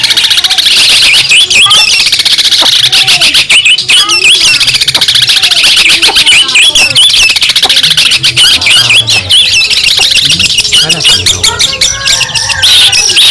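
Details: Long, unbroken masteran performance by a Madura long-tailed shrike (cendet) used as a tutor for songbirds: relentless, varied chatter of harsh rasps, clicks and looping whistled notes, dense and loud throughout with scarcely any pause.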